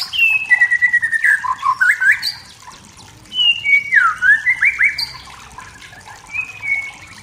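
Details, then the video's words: A wild white-rumped shama in forest sings to provoke rivals with sweet whistles and fast twisting phrases, loud in two bursts, then softer scattered notes toward the end. "MURAI BATU HUTAN SEDANG BERNYANYI MEMANCING EMOSI || murai batu || shama bird"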